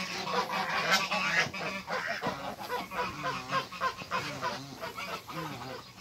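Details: An African goose couple being introduced on a farm, producing a rapid stream of overlapping short honks and chattering notes that rise and fall in loudness.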